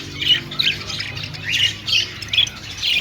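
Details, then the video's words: Budgerigars chirping in an aviary, with short bursts of squawky, high-pitched chirps recurring roughly every half second over a faint low hum. "Flock of singing and chirping budgies in aviary |parakeet chirping sounds"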